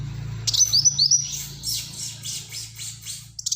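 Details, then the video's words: Black-throated sunbird song in the 'tembakan rapat' style: a few high, piercing whistled notes followed by softer rapid chatter, over a steady low hum. "Burung Kolibri Wulung Gacor Tembakan Rapat"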